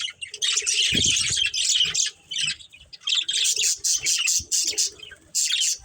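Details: Breeding pair of budgerigars chirping in choppy bursts of high twittering and harsh squawks, separated by brief gaps, with a low thump early on.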